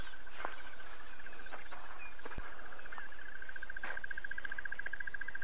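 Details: On a sunrise drive on 22 November 2016, a crested barbet replying to another gives its long, even, rapid purring trill throughout, over a low vehicle engine rumble with a few knocks.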